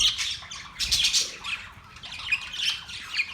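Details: Australian parrots, dated October 10, 2023, giving loud scratchy squawks in dense bursts, with a quieter chattering spell in the middle before more raspy calls.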